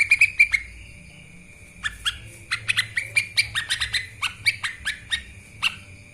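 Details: Lesser green leafbird master training song: a quick burst of sharp chirps, a brief pause, then a dense run of crisp, sliding high notes with a faint steady whine beneath.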